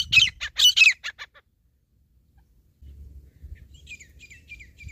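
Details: Wild jungle grey partridge during a hunt: a loud burst of harsh, high chirping notes in quick succession for just over a second, then near silence before faint, thin, repeated notes return over a low background rumble.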